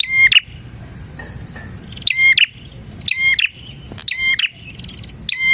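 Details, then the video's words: Bar-winged prinia in lively song for luring other prinias: rapid, bright, stepped chirping phrases with strong high ringing notes, delivered in five bursts roughly a second apart over soft background hiss. "suara burung PRENJAK GACOR"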